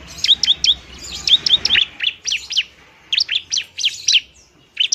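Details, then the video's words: Bar-winged prinia in fighting mode, a fairly active singer, used as a lure to stir lazy birds into singing: sharp, high chirps in quick pairs and runs, each note dropping steeply, with short pauses between bursts. "ciblek semi gacor, ciblek TARUNG mantap buat pikat dan PANCINGAN ciblek semi malas bunyi"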